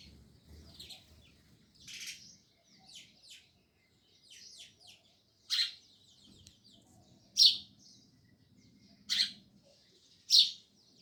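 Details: Several sparrows chirping and chattering: scattered quieter twitters early on, then loud harsh chirps roughly every two seconds, with a low hum underneath.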